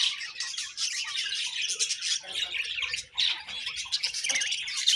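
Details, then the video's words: Several budgerigars chattering nonstop, harsh squawky warbles and shrill chirps layered into a thick, busy chorus with no pauses. "Beautiful Budgies Chirping Sounds"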